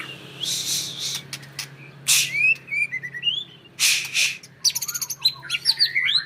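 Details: Champion-bloodline white-rumped shama in a cage sings short slurred whistles and fast twittering phrases, broken by loud rustling bursts of cage or wing noise.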